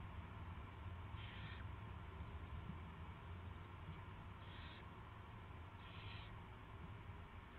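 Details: Owl delivering a rat on March 2, 2016 at 7:05 PM; three short, harsh hissing bursts, each about half a second, spaced a few seconds apart over a steady low rumbling hum.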